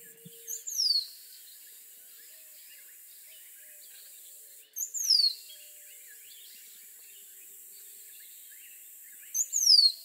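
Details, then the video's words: Three spaced song phrases of a rose-throated becard, roughly every four seconds, each a thin, high whistle sliding smoothly downward, with soft chattering of other birds in the background. "Rose-throated Becard Bird Song"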